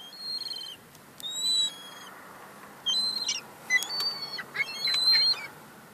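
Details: Several young gulls squabble over crumbs, giving repeated shrill, squealing cries. Many short clipped notes overlap one another, and a steady background hiss runs throughout.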